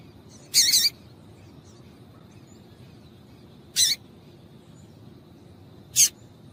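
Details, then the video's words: A female double-collared seedeater gives three short, piercing chirps at uneven gaps, meant to prompt males into song; a thin constant high tone hums in the background. "Piado de Fêmea de Coleiro para Esquentar Coleiro frio"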